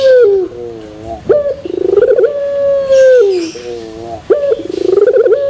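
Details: Pelung-style song of a Barbary dove with metallic tone: low descending coos, then a sudden rising note, a rapid rolling burble and a long sustained steady coo that falls away at its end.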